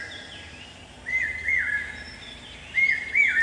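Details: A male common hawk-cuckoo, the Brainfever Bird, calling on a campus: loud, shrill whistled notes, each stepping upward, in two quick pairs, with faint higher chirps of other birds behind.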